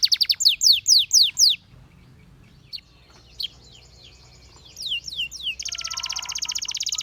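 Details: Canary singing for training: a run of loud downward-sliding whistles, a quiet gap with a few scattered notes, then more falling sweeps and a dense rapid buzzy trill.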